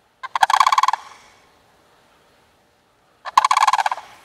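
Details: Sandhill crane pair playing and hopping around ahead of the mating season gives two rattling, trumpeting bursts of fast pulsed notes nearly three seconds apart, with silence between.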